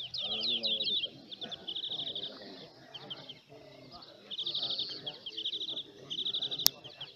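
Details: Greenfinch singing during a 2018 competition at El Torviscal, Seville, Spain: fast buzzy trills and chattering phrases come in two bursts separated by a quieter pause, with human voices murmuring underneath and a sharp click near the end.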